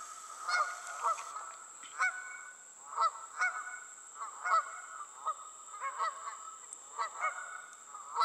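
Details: Geese on the wing keep up irregular honking, rough repeated notes, sometimes doubled, coming about every half to one second, a faint continuous high whine in the background.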